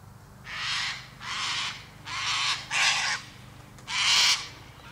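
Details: Five loud, grating cockatoo screeches, each roughly half a second long and spaced by brief pauses, the last one the harshest and loudest.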